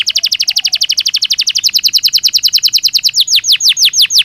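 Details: Belgian canary in natural song, a long rapid trill of crisp repeated notes that slows slightly near the end into broader falling whistles.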